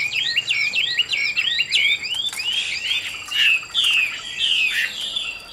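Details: Chinese hwamei held captive in Vietnam, fierce-faced and described as suited to fighting or singing; rapid choppy zigzag notes run together, then slower, drawn-out downward-sliding whistles.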